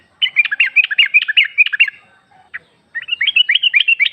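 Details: Female sooty-headed bulbul calling to a male, played as a lure: a fast run of sharp chirps, a short pause with a single note, then another rapid chirping series.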